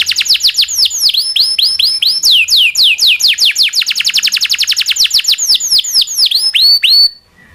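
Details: Local canary singing long rolls as training material for murai batu, magpie robin and green leafbird: fast descending whistles in steady series, accelerating into a tight roll that ends abruptly.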